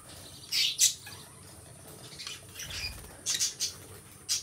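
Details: Two pet lovebirds give loud, shrill chirp bursts in pairs and clusters, separated by quieter gaps of soft twittering. A final sharp squawk comes at the very end.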